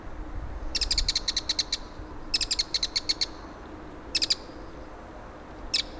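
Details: Bull-headed shrike calling in autumn at Gongneung Stream, South Korea: harsh, rapid chattering bursts of about eight to ten notes, three long series and a short final burst, over a low steady background hum.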